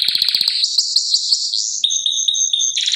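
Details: Canary singing in the Canto Canário do Reino style: rapid clipped notes, then a rolling trill and a long steady whistled tone broken into short pulses, ending in a burst of fast trilling.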